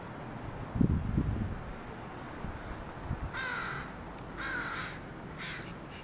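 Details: After some low thumps and knocks, crows from a group landing at a house give three harsh, buzzy caws about a second apart.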